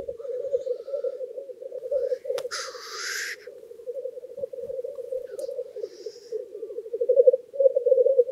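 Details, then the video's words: Black grouse lek in a wetland at the end of April, around 4:54 am under a clear sky, with lekking very intense. Several males bubble continuously around the hide in a low, rolling, dove-like murmur, with one sharp hissing sneeze. "BLACK GROUSE lek in spring"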